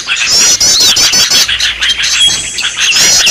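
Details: Lure recording of a Green leafbird's noisy 'ribut' call: dense high chattering trills packed almost without pause, with thin whistled notes woven through.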